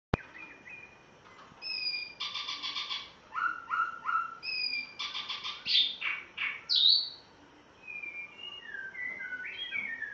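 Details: Spotted morning-thrush from Tanzania on its first day at its new home, with a white-rumped shama also singing: varied song of stacked chirps, rapid trills and bright upslurred whistles, mixed with a low steady hiss of background noise.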